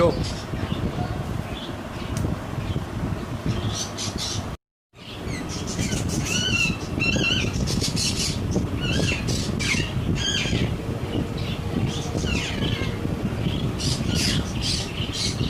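A sun conure gives short, harsh squawks and chirps over a busy background of voices and household noise.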